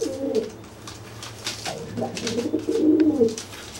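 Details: Dry pigeon cooing to threaten a wet pigeon that cannot fly after bathing, puffing itself up; low throaty coos swell and fall, with scattered clicks and rustling of wings and feet indoors.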